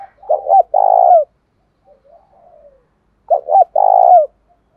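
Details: Spotted dove decoy for luring wild doves, calling thúc đấu rút bổi. Two identical phrases, each two short hoots then a sustained rolling coo, are separated by about three seconds of near silence.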